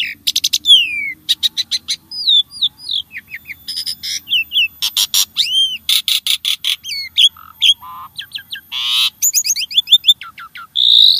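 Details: Starling song used to prompt caged birds to sing: a rapid varied medley of sharp high clicks, downslurred and upslurred whistles, rising and falling arched notes, buzzy bursts and rattling trills, with only short gaps between phrases.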